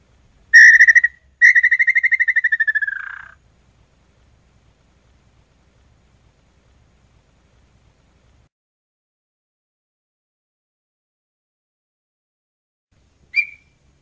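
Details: Song of the red-legged tinamou, known as chorona: a brief pulsed whistle, then a long run of quick beats easing downward into a hoarse finish, followed by about ten seconds of near silence and a short whistle.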